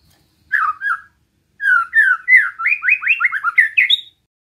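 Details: Murai batu singing a relaxed besetan to rouse rival shamas: two short warbled phrases, then a fast rolling series of slurred notes climbing upward, ending on a high whistle.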